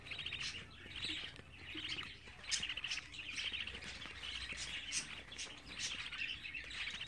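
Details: Budgerigar chicks aged 24 days call in repeated buzzy, pulsed chirps, several birds overlapping, with short sharp peaks now and then. A soft low hum runs beneath.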